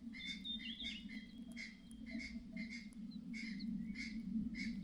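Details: Mother myna sounding a clattering warning of nearby danger, a run of harsh raspy notes about twice a second, a thin high whistle overlapping at the start, constant low droning hum beneath.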